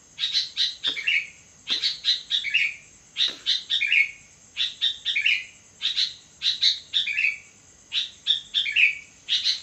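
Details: Sooty-headed bulbul singing vigorously at midnight: short bubbly, chirpy phrases of three or four quick notes ending in a lower slurred note, repeated every second or two, over a constant thin high whine.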